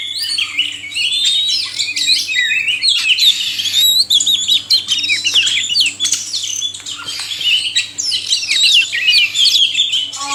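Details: Male and female oriental magpie-robins in a sustained duet-like chorus meant to excite caged kacer; ten seconds of nonstop varied whistles, chatters and quick upslurred notes, dense and high-pitched.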